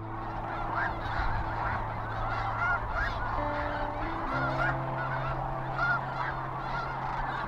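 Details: Hundreds of thousands of migrating sandhill cranes massed at the Platte River near Kearney, Nebraska (mid-February to early April) in a dense chorus of loud, rolling, trumpeting rattles overlapping without pause over a steady low drone.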